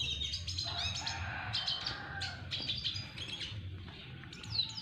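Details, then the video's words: Red siskin, double dilute mutation, courting a female with dense high twittering and short clustered chirps, a few slurred whistles, against a steady low rumbling background. "Red siskin Double diluet belajar merayu BETINA red siskin"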